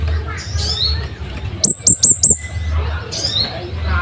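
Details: Scarlet-headed flowerpecker, cabean bunga api, sung as master material for caged songbirds. Four sharp, very high, clicking notes come in quick succession, framed by faint higher whistles and a low rumble.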